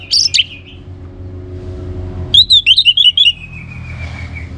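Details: Orange-headed thrush giving a high, sharp note pair, a pause, then a rapid string of bouncing whistles ending in a long falling tone. Used to get other birds singing.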